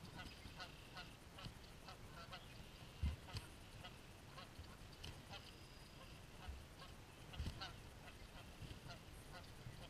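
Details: Geese caught fighting, uttering scattered harsh honks, a louder burst near the middle, against a constant low background rumble.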